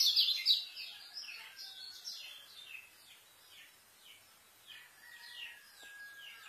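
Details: White-eye song for tutoring young birds, a speedy series of high, thin descending whistled notes at about three per second, starting loud and fading to softer repeated phrases with a faint background hiss.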